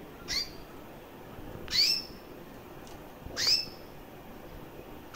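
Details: Chirping female canary, recessive white with red-factor eyes, about one year old: four short, high, rising chirps roughly every one and a half seconds, the middle two loudest, over quiet background.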